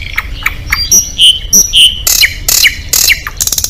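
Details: Oriental magpie-robin at a singing contest delivering varied song: thin chirps and pure high whistles, then loud harsh scratchy bursts with downslurred notes and a closing fast rattle.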